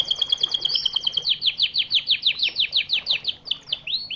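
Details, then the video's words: A training song for birds going through or finishing moult opens with a steady high trill. It breaks into loud, repeated down-slurred whistles, roughly three a second, and closes with a rising swoop. "masteran Burung istimewa.Cocok untuk Burung Mabung.&Pasca Mabung"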